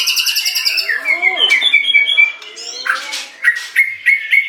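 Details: White-rumped shama song: rapid trills and sharp repeated whistles near the high range, with buzzy slurred phrases and a brief pause before bright clipped notes resume, repeated in quick succession.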